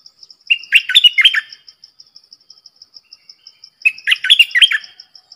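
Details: Decoy streak-eared bulbul for luring wild birds and training youngsters sings two rich, bubbling phrases of slurred notes about three seconds apart, with soft regular high ticks between them.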